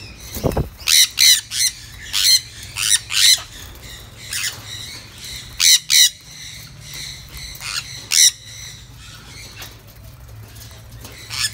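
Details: Sun conures being raised on a bird farm in Siem Reap, Cambodia, eating freely, give harsh, broadband squawks in short bursts, several per second at times, with a low steady background hum.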